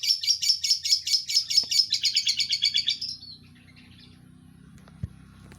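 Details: Long-tailed shrike giving a fast run of about fifteen repeated sharp chirping notes over three seconds, quickening toward the end, then near silence with faint low background hum and one soft knock.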